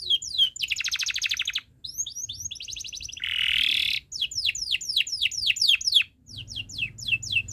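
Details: Canary singing as a teaching model for young birds: rapid rolling trills, a harsh buzzy burst, then a series of repeated downward-sweeping whistled notes, with a faint low hum beneath.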